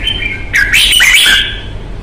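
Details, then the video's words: Caged red-whiskered bulbul in combative display delivers a sustained whistled tone breaking into a loud, dense, chattering warble of bright sliding notes, closing on a held whistle. "CHÀO MÀO | Bóng bộ thái độ nết đấu chất giọng cực hay"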